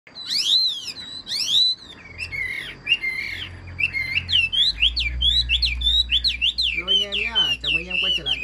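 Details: Caged Chinese hwamei with a large body and blue-tinged plumage singing a loud, varied run of clear whistled phrases that swoop and slur up and down, with brief harsher notes and faint low background rumble.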